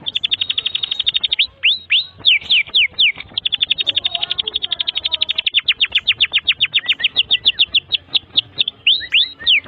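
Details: Domestic canary in a tutor song for young birds: a dense, fast high buzzy trill broken by bursts of sharp downslurred whistles, repeated several times at a very rapid, even pace.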